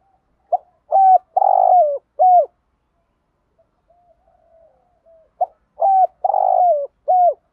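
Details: Decoy spotted dove cooing to stir a caged male: the same phrase twice, about five seconds apart, each a short note then three mellow coos, the middle pulsed and the last falling, with faint soft notes between phrases.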